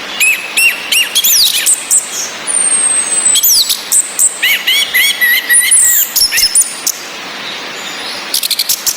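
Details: Orange-headed thrush, a female's ngecis calling with a male's relaxed song and rain, meant to stir breeding drive in males that only twitter. Rapid varied whistles, steep slurs and a long thin note run in dense chattering phrases over rain hiss.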